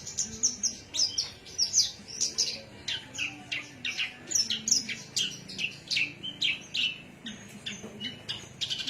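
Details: Javan myna in Cilacap delivering a busy song of rapid, harsh chirps and squeaky whistles, nearly continuous with about two notes per second and little pause.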